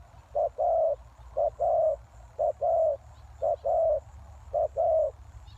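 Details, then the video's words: Spotted dove lure call for attracting wild doves: five regular phrases, each a brief low note followed by a longer mellow coo, spaced about a second apart over quiet low hum. "Suara Tekukur Pikat"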